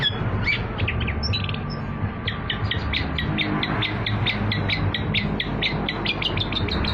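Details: Long-tailed shrike (cendet) lure song for trapping, opening with a few scratchy notes and then a rapid, even series of short sharp chips repeated several times a second, over low steady background noise.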